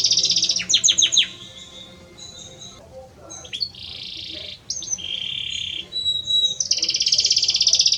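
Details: Male Belgian canary singing to a female: falling whistled chirps, scattered notes, mid-pitched rolling trills at changing pitches, and a final bright buzzy roll.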